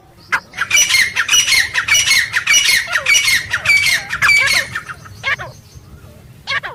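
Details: Loud grey francolin call heard in the wild, jungle setting: a fast run of harsh, ringing squawked notes lasting about four seconds, followed by a few isolated notes over a faint low background hum.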